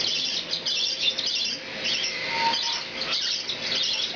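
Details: A hand-fed, hand-tame baby lutino cockatiel, sex unknown until its first moult, head-bobs and gives a steady stream of high, scratchy chirps, begging because it thinks it needs to eat; young birds are aged 4–16 weeks.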